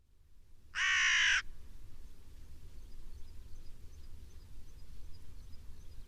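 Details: A black crow gives one loud, harsh caw lasting about half a second, then only a low background rumble with faint distant chirps.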